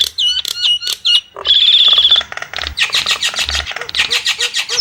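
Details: Nias hill myna with looping whistled notes, then a long shrill sustained whistle, followed by rapid rasping squawks and a run of short, clipped lower notes.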